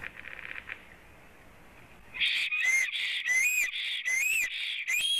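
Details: Black stork male at its nest on a live nest camera in Latvia, April, with the female said to be present; after two seconds of quiet, a run of loud, high, whistled, wheezy phrases with rising and falling tones, repeated in quick succession.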